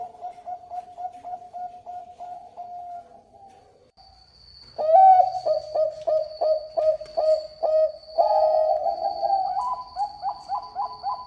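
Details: Zebra dove of the Bangkok type singing steadily: a quiet series of short hooked coos, a pause, then a loud rapid string of rolling coo notes ending in higher trilled phrases, with a steady high electrical whine behind.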